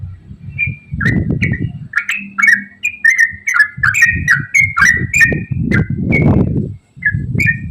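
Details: Yellow-vented bulbul ropel song used as a lure: bright clipped whistles, some doubled and sliding upward, come in uneven runs amid bursts of heavy low rumbling noise and a brief hum.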